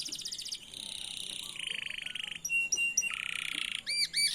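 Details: Canary singing as a lure for young birds learning song: a rolling sequence of buzzy trills at shifting pitches, a fast high rattle, then a lower trill and looping arched notes.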